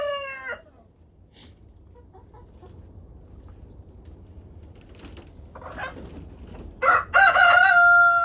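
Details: Backyard chickens out enjoying a 20-degree warmup to 37 degrees, scattered soft clucks, then a loud harmonic squawk rising into a wavering drawn-out cry near the end, over low background rumble.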